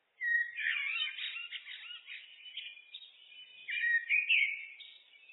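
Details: Common blackbird in a looped recording: a long scratchy, chattering warble in the middle range, followed by a clear fluted phrase with smooth slides. No other sounds.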